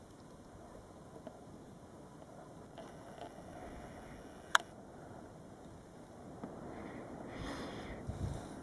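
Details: Quiet hiss with a few faint ticks, one sharp click midway, and a soft swell of noise toward the end, but no animal calls.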